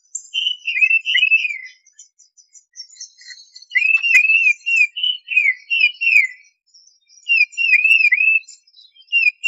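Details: Tufted titmice singing repeated bursts of clear downslurred whistled notes in groups of three to five, with a brief click and faint high chips between phrases.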